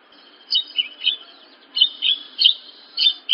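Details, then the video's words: Sparse song of a Horsfield's bush lark from a training recording for larks: a few separate high, slurred chirps spaced roughly every half second. "Masteran Burung Branjangan"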